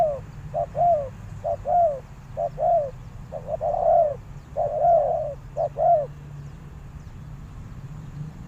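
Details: Spotted dove calling as a decoy to lure wild doves: soft, low cooing in short bursts of two or three arched notes, about eleven coos over six seconds, then a quiet pause with a low background hum.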